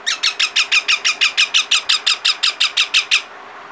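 Indian ringneck parakeet chicks give a rapid run of harsh, high squawks, about five a second, evenly spaced, for three seconds before stopping.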